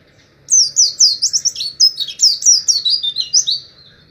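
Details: Oriental white-eye, 'ngalas' type call meant for teaching captive birds: after a brief silence, a steady run of high falling chirps and twitters for over three seconds, clean recording.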